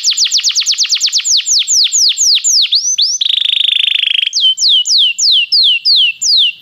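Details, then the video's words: Belgian canary singing, used to warm up other canaries: loud rapid series of descending whistled sweeps, slowing gradually, then a buzzy steady trill, then more spaced falling whistles. "canário belga muito lindo cantando, aqueça seu canário imediatamente"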